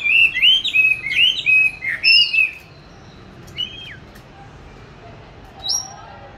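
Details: Oriental magpie-robin in a cage, raised since July 2020, recorded March 2021 while practising song; about two and a half seconds of quick looping whistles, then near silence broken by a few isolated high notes.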